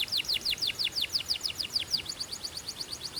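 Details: Belgian canary delivering an even, rhythmic tour of descending swept notes, roughly five per second, in song played to warm up canaries and stimulate females.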